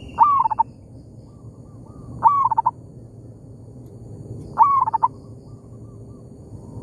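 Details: In an oil palm plantation, a local zebra dove answers a decoy bird: three phrases roughly every two seconds, each an upswept note and a tight run of short coos, softer distant replies in the gaps.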